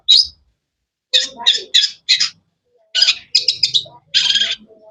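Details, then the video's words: Long-tailed shrike calling in short buzzy bursts: one brief note, then a quick run of four harsh chirps, then three more, ending in a longer grating buzz. "Bird chirping sounds"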